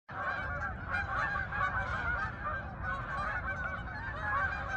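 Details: Geese in flight over Farmington, Connecticut meadows, heading to the fields: a dense chorus of overlapping honks from many birds, continuous and clamorous throughout with no pauses.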